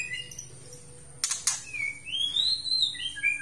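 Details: White-rumped shama from Aceh singing: a few faint high notes, a pair of sharp clicks, then a long clear whistle that rises, wavers and falls, over a low steady hum.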